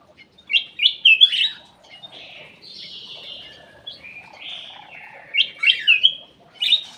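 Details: Bulbul kept in an aviary, singing as a lure: a quick run of sharp chirps, softer wavering whistles through the middle, and another burst of loud chirps at the end.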